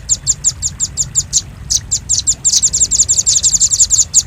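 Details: Velvet-fronted nuthatch calling on a bird-luring track: evenly spaced high ticking notes that speed up into a rapid, thick trill of shrill chips.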